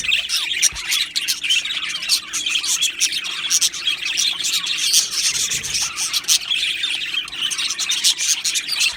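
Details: A colony of Australian budgerigars in an aviary produces a thick wash of twittering, chirping and buzzy warbled notes. Many birds call at once, at a steady, lively level throughout.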